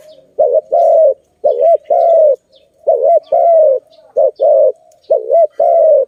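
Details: Zebra dove, locally Malay dove, where doves are trapped and freed: continuous, rhythmic phrases pairing wavering double notes with long even coos, repeated almost without a break for six seconds.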